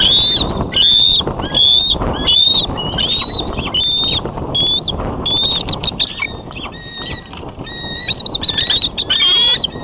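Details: Wild bald eagle pair working on their nest, watched by camera in Davenport, USA, late afternoon of 29 January 2014, calling while intruding eagles fly by. The run of shrill piping notes breaks into stuttering squeals near the end, over wind noise.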